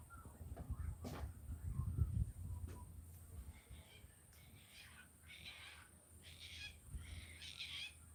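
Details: Unseen black cockatoos, likely flying over a farmhouse on a rainy late-March afternoon, give harsh, drawn-out wailing cries in short repeated bursts that grow louder, after a woman speaks over a low household rumble.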